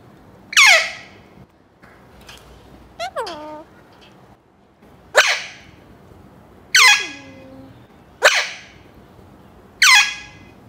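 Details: Loud, harsh descending screeches from a 7-month-old male pet Alexandrine parakeet talking in the morning after waking, five in about ten seconds, with a couple of softer squeaky downslurred notes between them.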